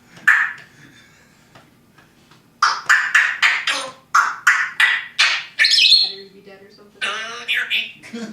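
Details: Pet parrot indoors giving a series of about a dozen sharp squawks in quick succession, then lower warbling notes.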